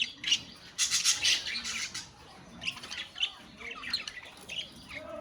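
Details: Colony of budgerigars with loud sharp squawks clustered around the first second, then sparser chirps and warbling notes repeating irregularly over a quieter flock murmur.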